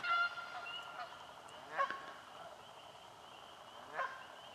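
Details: Canada geese fighting for nesting spots in a swamp: a few distant nasal honks, one at the start and two later, over steady thin chirping from other swamp callers.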